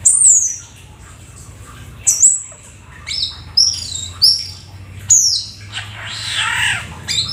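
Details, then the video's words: Black-winged starling giving loud, sharp, high whistles, some sliding down and others rising, separated by pauses, with a raspy chattering burst toward the end. "Jalak Keling gacor full isian si burung langka nan EXOTIS"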